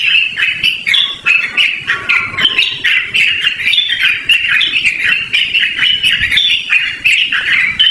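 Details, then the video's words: Yellow-vented bulbul giving a loud, clear, melodious song in a long continuous run, suited to luring or to training other birds. Dense bubbly chattering phrases overlap with hardly a pause, with a faint background hiss. "BURUNG TRUCUKAN GACORR NGEROL DURASI PANJANG"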